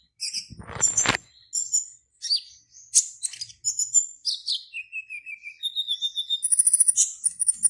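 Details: Contest black-naped oriole from Serang, Banten, Indonesia, caged and singing for an online competition: scattered shrill chirps and whistles building into a rapid, even, high trill toward the end, with a knock early on.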